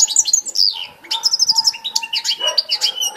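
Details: European goldfinch song recorded 18 December 2016: rapid sweet twittering, clipped ticks and a run of repeated high notes, delivered nonstop over a faint steady low hum.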